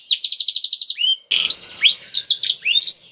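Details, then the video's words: Vigorous 'gacor' canary song with 'cengkok istimewa' phrasing: a rapid rolling trill of repeated notes, a brief break, then a tumbling sequence of rising and falling whistled syllables. "KENARI GACOR CENGKOK ISTIMEWA #235 || VOICE OF CANARY"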